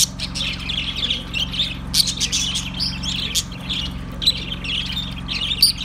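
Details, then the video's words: Several budgies warbling and chirping continuously, with bright chattering notes and occasional sharp clicks stacked densely together, and a constant low electrical hum underneath. "Ultra Budgies Bird Sounds"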